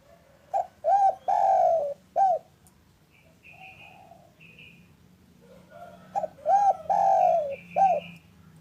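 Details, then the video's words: Afternoon cooing of a local spotted dove, played to coax silent doves into calling: two four-note coo phrases, each short, short, long, short, with thin higher whistles of another bird between them. "Suara indah burung derkuku lokal gacor untuk pancingan cepat bunyi"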